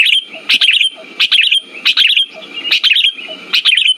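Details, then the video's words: Lure recording of a sooty-headed bulbul, meant to stir silent birds into singing: short bubbly phrases of quick high chirps, repeated roughly every three-quarters of a second in a steady cycle. "Pancingan burung kutilang macet"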